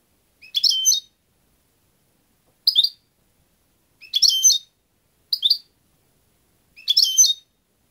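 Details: European goldfinch singing: five short, bright twittering bursts spaced one to two seconds apart, each a quick cluster of high chirps, against a silent background.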